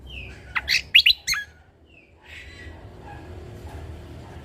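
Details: Short burst of Sumatran leafbird (Cucak Kombo Lombok) song in its natural-fill style: a whistle, then a rapid cluster of sharp chirps and squeaks, followed by soft background hiss.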